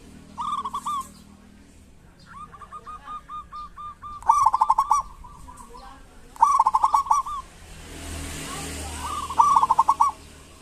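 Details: Local zebra doves singing vigorously in kerot and bekur style, used to coax silent doves into song: bubbling trilled coos with stuttering starts, in bursts every two seconds, several birds overlapping, and a hiss of noise near the end.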